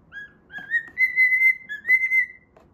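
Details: Cockatiel at play whistles part of the Pythagora Switch opening tune. Pure whistled notes climb from a short low note into long, sustained level tones, with faint clicks and room noise underneath.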